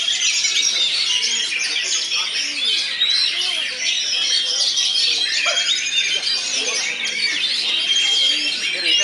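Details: Two oriental magpie-robins duelling in a bird song contest, pouring out busy, overlapping high warbles with clear whistled streaks and squeaky trills, while a crowd's voices murmur low in the background.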